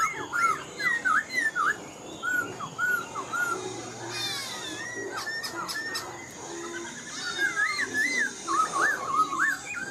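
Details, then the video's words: Black-throated laughingthrush in a cage, an old wild-caught bird singing well: loud, varied whistled phrases with zigzag slurs repeated about twice a second, a clicking burst in the middle and a constant faint high hiss. "Khướu bạc má mộc dở chim già rừng, hót tốt giọng hay"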